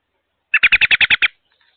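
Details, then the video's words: May 22 recording of an American robin attending young at the nest, caught by a wireless outdoor security camera: eight rapid, loud, chattering notes in under a second, followed by silence. "ROBIN CAMERA - MAY 22nd. They ARE Very Loud Today"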